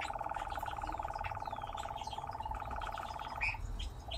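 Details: A singing nightjar gives a steady, rapid, mechanical churr held at one pitch throughout, with a few faint chirps above it and a low background rumble.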